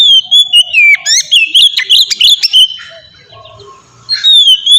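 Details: Oriental magpie-robin in the melodious ngeplong style, used to coax untrained birds into singing: a dense flurry of whistles and clipped chirps, about a second of near silence, then a fresh falling whistle.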